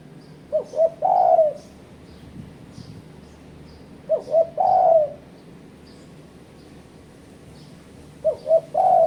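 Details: Spotted dove calling as a bird-trapping lure meant to challenge rivals: three phrases of two short coos and a longer drawn coo, repeated about every four seconds, with faint high chirps of other birds behind.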